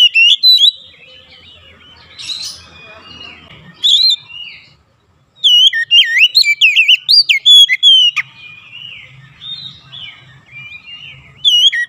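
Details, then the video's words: Oriental magpie-robin lure song used to provoke other magpie-robins into singing: short bursts of sweeping whistled notes early on, then a long loud run of rapid, varied up-and-down whistles and chips around six to eight seconds. "PANCINGAN KACER langsung gacor ngotot"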